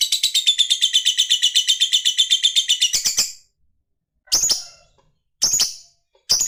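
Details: Lovebird in a long ngekek trill: a fast, high pulsing rattle held for about three seconds, then short sharp chattering bursts separated by silences.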